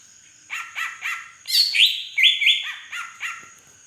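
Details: Song of a large green leafbird from Beutong forest in Aceh, including drongo-imitating fill-in: evenly spaced short down-slurred notes, broken midway by loud ringing whistles that sweep upward, then the slurred notes resume.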